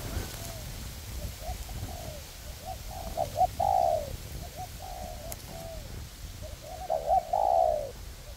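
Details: Spotted dove decoys used for bird trapping, a ground decoy with a perched one, call in a forest test. Soft stuttering coo notes build to loud, drawn-out coos, two strong phrases about four seconds apart.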